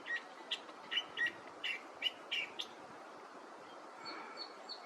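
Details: California Thrasher at Torrey Pines State Beach & Nature Preserve, San Diego, California, in the morning, giving a quick, uneven run of short chirpy notes for nearly three seconds, then fainter high notes, over a steady wash of surf or wind.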